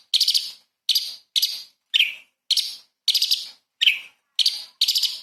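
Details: Light-vented bulbul giving small-bird fill phrases for tutoring magpie-robins: short, bright chattering phrases repeated roughly every half second, some ending in a lower downward slur.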